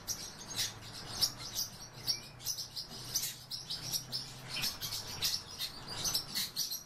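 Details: A breeding pair of pine grosbeaks gives short, high chirping calls in irregular bursts, several each second, over a faint low hum.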